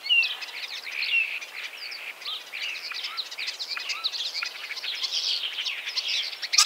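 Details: Common starling singing: a dense, continuous medley of chirps, clicks, rattles and whistled slurs, with short rising whistles mixed through the chattering high-pitched phrases.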